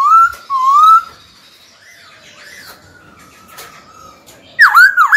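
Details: Captive white-cheeked laughingthrush, trained daily, sings to call a rival to fight: two loud wavering whistles, a long quiet stretch of faint thin notes, then a burst of sharp, swooping, bright whistles at the end.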